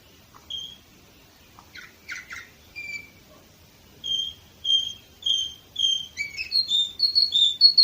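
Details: Song of an Orpheus canary, Varna, Bulgaria, 2018: scattered clicks and short buzzy notes open, then clear whistled notes repeat about every half second and quicken into a rising, bubbling run.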